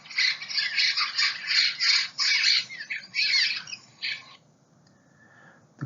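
Cliff Swallows give harsh, squeaky, grating chatter in rapid overlapping bursts for about four seconds, then fade to a faint thin note.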